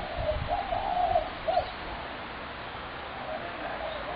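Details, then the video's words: Spotted dove, 21 January 2017: a phrase of low, soft coos in the first second and a half, a final short accented note, then fading hiss and faint distant coos. "Spotted dove horrendous racket"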